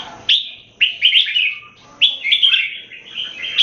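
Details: Red-whiskered bulbul singing in a competition between captive birds: short, loud, whistled warbling phrases about once a second, each starting sharply and trailing into fluty notes.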